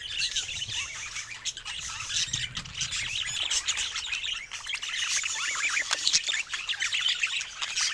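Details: Happy pet budgerigars warble without pause, a thick stream of quick twittering chirps and squeaks with a faint low hum underneath.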